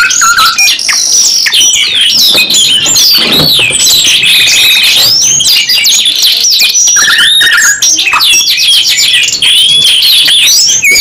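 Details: Two canaries singing continuously, mixing rapid twitters with steady mechanical rolls and long flat trills, later switching to fast repeated chip notes and sweeping whistles.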